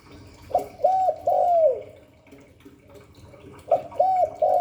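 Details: Hạp Bổi-style spotted dove cooing: a three-note phrase ending in a long sliding coo, a lull of faint hum, then the phrase begins again.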